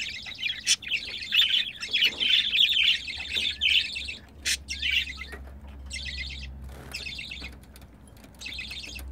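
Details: Mating pair of pet budgerigars: loud, steady scratchy warble for about four seconds, then quieter short buzzy bursts with gaps, plus a sharp click or two and a faint low hum.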